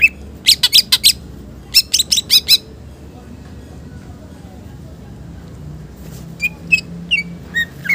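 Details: Green leafbird song with rich 'isian' fill, used as a pancingan (bait) and masteran (tutor). Two bursts of sharp, harsh high chips come first, then a long lull, then scattered thin whistled notes.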